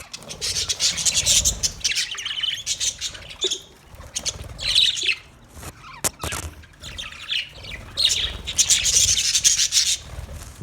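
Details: Parrot chirping, recorded 20 November 2023: dense bursts of high, rapid twittering chirps in clusters of one to two seconds with short quieter gaps, a few sharp clicks near the middle, and a faint low rumble underneath.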